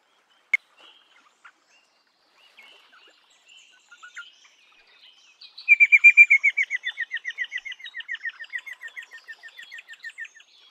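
An Eastern rosella gives a long, fast run of about twenty sharp, high notes that slows and fades, after a few faint scattered calls.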